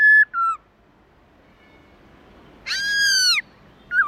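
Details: Black-throated laughingthrush (Pterorhinus chinensis) wild-style song: loud, rich whistles, two short level notes, a pause, then a longer arched whistle falling at its end, over a quiet background.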